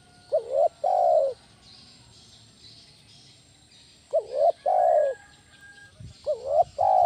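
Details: Loud spotted dove lure call, 'kuk 1' style, for luring and training other doves: three two-part cooing phrases, short wavering note then drawn-out coo, separated by quiet gaps of about two seconds.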